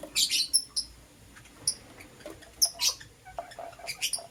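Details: A pair of lovebirds, one green Personata and one yellow pastel pied, heard in the morning: clear, high whistled chirps and scratchy squeaks, scattered irregularly, with a quieter lull midway.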